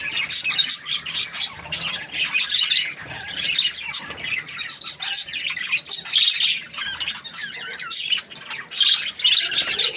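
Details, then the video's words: A happy budgie's busy chirping: quick tweets, squeaks and gritty warbling notes tumbling over one another for ten seconds, with short lulls. "Happy Budgie chirping sounds"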